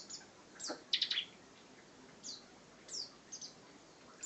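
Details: Bar-winged prinia (ciblek) singing in the lively ngebren style: scattered very high, sharp chirps and short twittering bursts, loudest near the first second, over a steady hiss of background noise.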